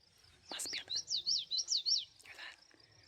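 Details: A Common Yellowthroat, unseen in a shrub near an old pioneer farm, gives a quick run of six high, rolling phrases like a fast repeated witchety over about a second; a man's soft voice before and after.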